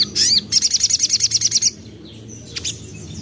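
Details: Common iora, local name sogon, young bird used as a singing lure: a high slurred note, then a rapid even trill of about a dozen sharp chirps, then quiet with one faint distant note.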